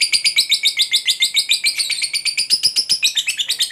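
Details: Fighter lovebird delivering the long ngekek trill used to provoke other lovebirds. Shrill buzzy pulses repeat quickly and steadily, dipping slightly lower in pitch toward the close.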